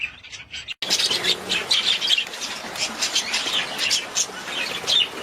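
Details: After a short quiet lead-in and an abrupt cut, a budgie flock breaks into busy, scratchy chattering. Quick squeaks and chirps overlap without pause.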